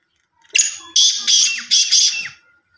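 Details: Black francolin (kala teetar) from Sindh giving its harsh, grating call: a short opening note, then three loud buzzy, scratchy bursts in quick succession over about two seconds.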